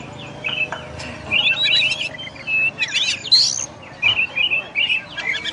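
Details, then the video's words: Kacer, the oriental magpie-robin, singing short warbled and whistled phrases in bursts separated by brief pauses, with a low background hum. "SUARA BURUNG KACER"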